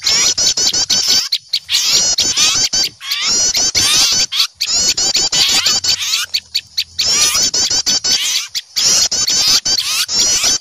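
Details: Small birds, noisy and frightened at the sight of an owl, scold in a dense, excited chorus of high, sharp chirps and twittering trills in rapid bursts with only brief pauses; used as a lure sound for catching wild birds.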